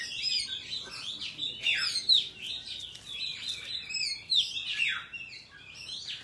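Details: Forest-style singing of an Oriental magpie-robin, kept as a training file for young birds and trapping: sweet whistles, trills and steep downward slurs in a lively, varied flow.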